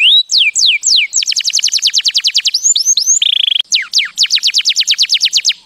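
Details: Canary singing to teach young birds. Rapid runs of high, falling whistled sweeps repeat many times per second. A brief flat buzzy trill breaks in before the fast descending notes resume. The song is clean and loud, with no background noise.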